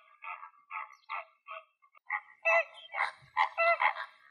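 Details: Honking calls of flamingos in Greek nature: a few separate nasal notes, then louder, harsher overlapping honks from several birds building into a noisy chorus.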